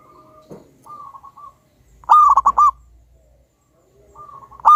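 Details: Vigorous local wild zebra dove song: faint background coos, then one powerful bubbling phrase of four quick rolled notes, another loud phrase beginning at the end, with a low hum beneath.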